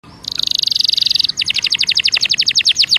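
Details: Belgian canary singing, used to warm up other birds: a fast buzzy trill at high pitch, then a run of repeated bright chirps, about four per second.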